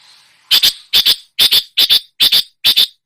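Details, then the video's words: A long-tailed shrike imitating other songbirds repeats six loud, harsh doubled notes about every 0.4 seconds after a faint lead-in. "masteran cendet menirukan semua jenis burung kicau"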